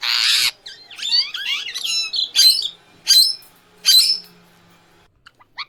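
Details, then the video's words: Indian ringneck parrot in natural voice: opens with a loud, rough screech, followed by a string of shorter, warbling squawks that fade out, ending with a few faint ticks. "Indian Ringneck Parrot Original Voice | Real Talking Sound | Natural Voice Long Video"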